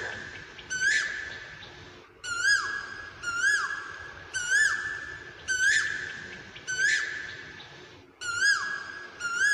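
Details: An Asian koel sings loud, ringing whistled notes that rise and dip, repeated about once a second, over a soft background hiss.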